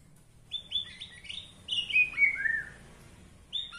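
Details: Borneo-style white-rumped shama singing a style said to enrage rival shamas: a run of clear whistled notes stepping down from high to lower pitch, ending in a short rising phrase.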